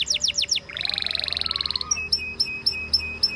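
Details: Canary giving fast downslurred whistles, a rapid buzzy trill, then evenly spaced sharp high chip-like notes about three per second.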